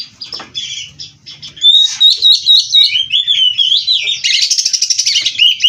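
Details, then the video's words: Kacer, or oriental magpie-robin, from a breeder, in busy 'gacor full isian' song. Soft scratchy notes lead into loud, rapid, wavering whistles that are repeated about twice a second, ending in a dense buzzy trill. "Burung Kacer Gacor Full isian"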